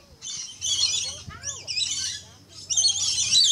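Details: Red-collared lorikeet screeching loudly in three long, harsh, rasping bursts separated by brief gaps. The middle burst carries wavering, slurred whistled notes, and the final burst is the loudest.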